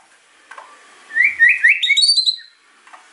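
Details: White-rumped shama in captivity, singing excitedly to provoke silent birds: a short rising run of bright whistled notes over faint background hiss and a few soft knocks.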